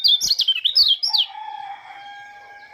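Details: Morning song of an Oriental white-eye from Lombok: a second of fast high sliding whistles, then a steady lower drawn-out tone that fades away.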